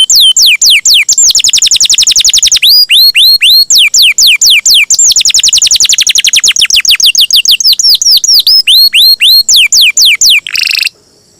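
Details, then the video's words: Champion canary with a long, lively roll used to tutor songbirds: continuous rapid series of high downward-sweeping notes mixed with fast trilled stretches, sustained for about ten seconds before a brief burst and quiet. "Suara Burung Kenari gacor juara ngerol panjang masteran terbaik"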